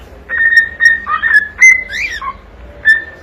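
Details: Young pet cockatiel singing to entertain and keep company with another bird: clear whistled notes, mostly steady and level, with a few brief rising and falling slides and short pauses between phrases.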